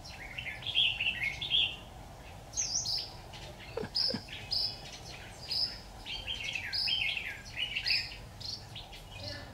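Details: Red-whiskered bulbul song during decoy trapping, 26 October 2019: lively, repeated warbling phrases of rising and falling whistles, delivered almost continuously, with one brief knock near the middle.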